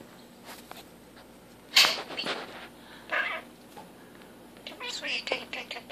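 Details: A male common starling practising a newly learned mimicked phrase, "big kisses for the bird", which he repeats all day. Short, sharp, speech-like bursts come at intervals, with a closing cluster of quick varied notes.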